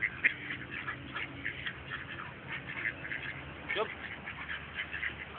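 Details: Duck begging for food in a dog-like way, giving a busy stream of short, raspy quacks in uneven bursts, with a human voice briefly audible partway through.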